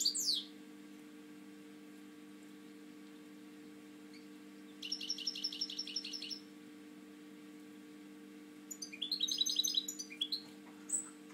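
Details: Captive European goldfinch with a drooping wing, heard in scattered outbursts: a sharp sweeping note, then a short rapid buzzy trill, later a denser high twittering phrase and a final chirp. Long quiet gaps carry a faint steady hum.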